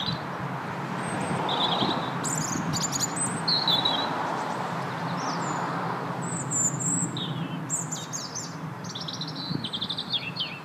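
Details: European robin song: short, thin, high-pitched warbled phrases with quick twittering notes, delivered in scattered bursts over a steady low rumble of background noise.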